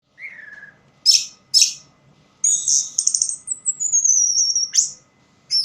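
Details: Orange-headed thrush singing in a place with little light, still in full song: a low falling whistle, two harsh buzzy bursts, then rapid high chattering notes leading into a long, thin, high whistle, with faint low background rumble.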